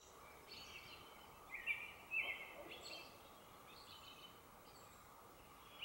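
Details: Faint, scattered birdsong at 3:30 am in Whitehorse, Yukon: high, thin chirps and short warbled phrases, mostly between 1.5 and 3 seconds, over a steady background hiss.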